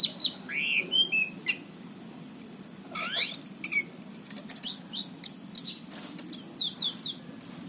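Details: Singing orange-headed thrush, a Cirebon cage bird filmed in 2019, delivers loud, varied high phrases: swooping slurred whistles, rising sweeps and clustered sharp chips, broken by brief pauses between bursts.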